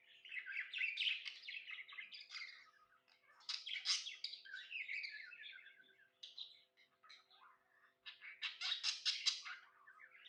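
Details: Contented pet budgie warbling at length: rapid, irregular chatter of buzzy clicks, squeaks and whistled notes in several bursts, separated by short pauses.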